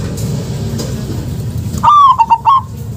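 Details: Zebra dove of a local strain, recorded as a lure to stir quiet doves into song, gives one phrase: a loud opening coo breaking into three or four short trilled notes after near silence and low hum.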